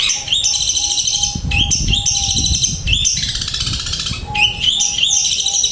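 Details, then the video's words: Flowing material from a long-tailed shrike: rapid rattling trills and buzzy phrases in a near-continuous stream, with a thin steady whistled tone recurring underneath. "Cendet materi mengalir"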